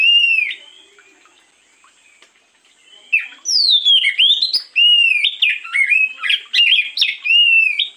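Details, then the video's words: Oriental magpie-robin (kacer) singing in the morning as a lure: after three seconds of near silence, loud clear whistled phrases begin, sliding up and down, with quick rich notes and short slurred trills following in a rapid varied string. "pancingan burung Kacer di pagi hari"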